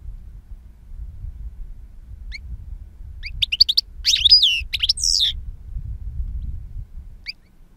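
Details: Two-year-old European goldfinch performing wild-type silvestre song, known for its strong timbre and long calls; a single short burst of tinkling, sliding notes in the middle, framed by faint isolated chirps and quiet low hum.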